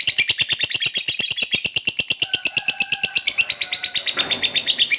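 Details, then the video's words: Lovebird of the fighter type in full 'gacor' form, giving the long 'ngekek' chatter meant to prompt silent lovebirds to answer: a fast, high, rattling run of harsh notes, about three per second, with faint steady tones midway. "Suara Lovebird Gacor ini, Banyak Lovebird Semula Diam Spontan Ikut Nyaut Bunyi Ngekek"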